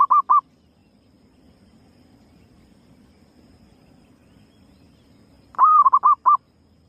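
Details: Female zebra dove calling as a lure: a cooing phrase ends at the start, then several seconds of faint low background hum before another phrase of one longer coo and rapid short notes.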